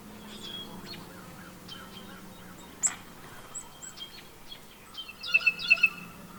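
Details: A Blue Jay in Pennsylvania at the darkest point of the 8 April 2024 total solar eclipse gives a quick run of four sharp, bright notes among other chirping birds, over a low steady hum of honey bees.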